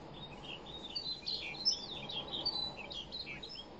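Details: A male snow bunting on East Bay Island in the Arctic in spring sings a bright, musical warble of quick, varied high notes that tumble and twitter without pause, over a soft background hiss; each male's song is unique and may attract females.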